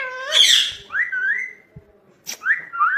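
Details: A talking pet ringneck parrot that says 'mummy papa': a harsh squeak, then gliding rising whistles, a short sharp click, and a final pair of upslurred whistled notes.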